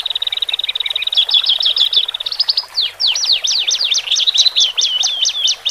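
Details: Male and female Horsfield's bush lark song, meant to relax birds newly removed from a flock into a cage: a fast high trill running into a string of sharp, steeply slurred notes repeated several times a second.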